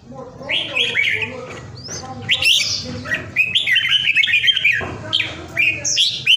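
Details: Red-whiskered bulbul kept as a home companion in Vietnam during Covid: loud fluty slurred whistles, some climbing steeply, strung into fast rippling phrases with brief gaps, ending in sharp high notes.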